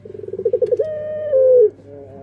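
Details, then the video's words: Puter pelung song phrase: a run of rapid, swelling pulses flows straight into a long, even coo that steps down and fades, with a steady low hum underneath. "Suara Burung Puter Pelung//Sound Dove Singing"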